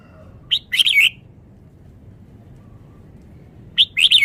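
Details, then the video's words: Red-whiskered bulbul, called a Vietnamese bird, in fast melodious song: two short bursts of sharp, rapid chirped notes separated by about three seconds of quiet. "นกกรงหัวจุก จ้าวมาเฮง นกเวียดนาม ร้องรัวรัว"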